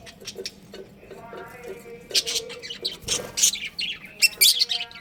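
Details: Budgies from a breeding pair keep up scattered high chirps and squeaky twitters that grow louder and denser halfway through, over a faint steady tonal background hum.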